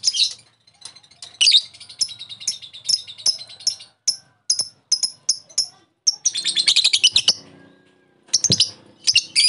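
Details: Lovebird lure sound meant to make another lovebird answer and ngekek: scattered sharp high chirps and clicks, two dense shrill chattering bursts, and a faint low rumble in the background.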